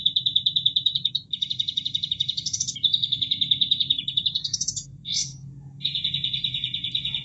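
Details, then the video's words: A bulbul sings a fast, continuous twittering trill, broken by quick rising sweeps to a higher pitch, over a steady low rush of running water; the recording is meant for tutoring cage birds. "Masteran Kapas Tembak Buat Isian Burung Anda Plus Suara Air"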